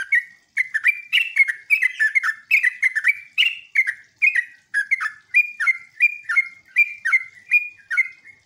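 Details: Sooty-headed bulbul song used as a lure for answering bulbuls: a long, continuous stream of loud, bubbly whistled phrases, notes slurring down and up in quick succession.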